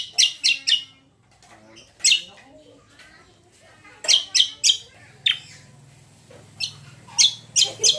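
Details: Greater green leafbird song played as a lure to make other birds sing back: groups of two to four loud, sharp chips separated by quieter twittering and short whistles, with a faint low hum.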